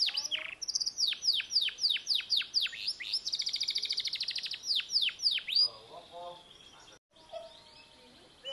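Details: Canary song: a series of steeply falling whistled notes about four per second, then a rapid mechanical trill, more downward sweeps, and a fade into quieter soft chirps and faint background noise.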